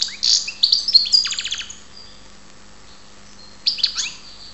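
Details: European goldfinch from Ptolemaida, Greece, giving a short run of twittering notes and a quick dry rattle, then silence for about two seconds before a brief chirped phrase returns; low hum throughout.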